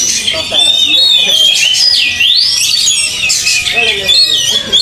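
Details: Kacer, an Oriental magpie-robin, singing during field training: bright whistles swoop down then up in a long slurred phrase, with dense chatter from other birds and faint human voices behind.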